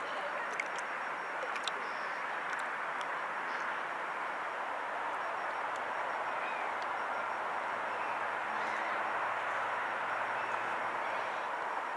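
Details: Steady broadband rumble of traffic or a passing train fills the recording, with a few faint clicks and no clear animal calls.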